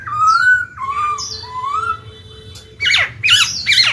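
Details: Black-throated laughingthrush singing to stir newly caught birds into song: long, smooth, slightly rising whistles, a steady faint whistled tone underneath, then a burst of sharp, jumbled, rapidly changing notes at the end.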